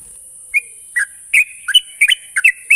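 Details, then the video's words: Sooty-headed bulbul song used to coax young birds into continuous singing: a few scattered liquid whistles, then quicker chattering clusters of rising and falling notes, against a steady background hiss. "pancingan burung trucuk bahan agar cepat ngropel"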